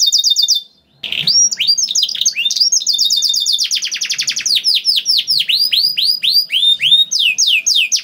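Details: Canary song meant to get other canaries singing: after a short break, long run of rapid high whistled notes, a rattling buzzy trill, then repeated sweeping descending notes about four per second.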